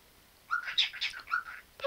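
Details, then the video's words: Pet parrot talking: a quick run of speech-like voiced syllables, some bright and whistly, ending in a short sharp chirp. "Попугай Чика разговаривает многого"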